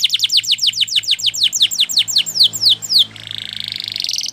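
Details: A canary sings for training: a long rapid series of high falling whistled notes that gradually slows, followed by a rising, buzzing rattle; a low steady hum sits underneath throughout.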